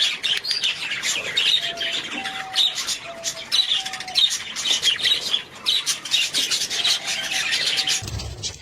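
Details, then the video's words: Budgerigars chatter in fast, harsh, high chirps and squawks, with a few faint steady whistled tones underneath and a low thud near the end. "Budgies sound"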